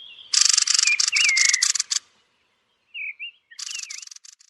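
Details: Thrush of the genus Turdus calling at roost with a buzzy, rapidly pulsed rattle and wavering whistles, a pause with two short whistled notes, then more rattling.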